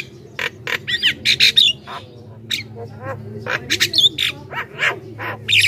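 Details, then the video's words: Javan myna song used to lure wild mynas and prompt other mynas to answer: a busy run of harsh squawks, raspy bursts and short twisting whistles in quick irregular clusters, over a steady low hum. "suara burung jalak kebo gacor"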